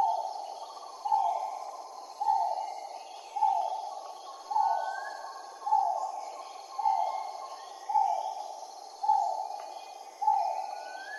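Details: Steady run of about nine loud, falling calls from a great argus, evenly spaced at roughly 1.1-second intervals, each one sliding down in pitch, backed by a continuous insect buzz and scattered soft whistles from other birds.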